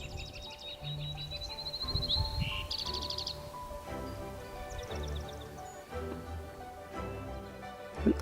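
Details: Eastern towhee singing its 'drink your tea' song at Carden Alvar, Ontario, in 2023: a couple of bright notes, then a quick high trill, with background music throughout.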